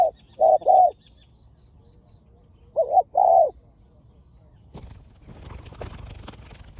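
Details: Spotted dove, one of two fierce birds in a decoy-trapping session. Two pairs of short, mid-pitched cooing notes, followed by a few seconds of quiet and then faint rustling and background noise.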